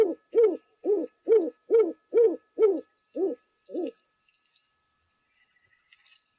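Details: Rock pigeon calling, probably on the roof of a waterhole lodge, recorded on a live wildlife broadcast: nine low, hollow, downslurred hoots spaced about half a second apart, then near silence and a click.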